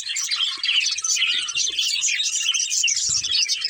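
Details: Budgerigar breeding pair chirping: a steady, dense stream of high chattering warbles and squeaky twitters, unbroken for the whole stretch, with faint low knocks underneath.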